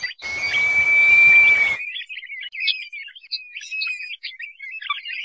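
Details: Lure call of the crested partridge, meant to draw birds in: a sustained even whistle of about a second and a half, then a run of quick, scratchy high chirps and twitters.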